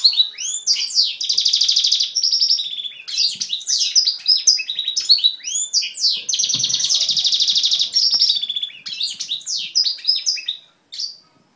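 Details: A male goldfinch-canary hybrid pours out a strong, varied song, looping whistled slurs alternating with long buzzy trill passages, repeated phrases over eleven seconds before fading to a few final notes.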